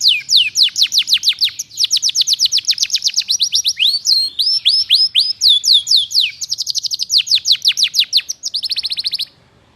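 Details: Canary in full, active song, used as a tutor recording for magpie-robins: fast high trills of repeated sweeping notes, several changing trill types in quick succession, loud and clean.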